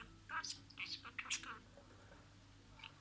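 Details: Budgerigar talking, mimicking words: a quick run of murmured, speech-like scratchy syllables in the first second and a half, then near silence, closing with one sharp squeak.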